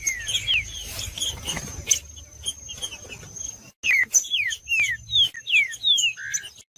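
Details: Green-winged saltator song used for warming up birds to sing: after a quieter start, a quick series of bright descending whistled notes, with a thin steady high tone throughout.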